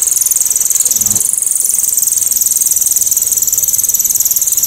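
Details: Cililin giving a loud, sharp, clear rapid-fire 'tembakan' burst: a very high, thin, buzzy trill pulsing about four times a second, held steadily through the whole stretch over a faint low rumble.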